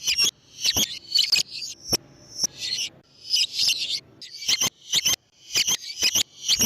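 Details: Used to lure wild lovebirds, a chattering lovebird gives a busy jumble of shrill, rasping high notes in quick clusters with short pauses.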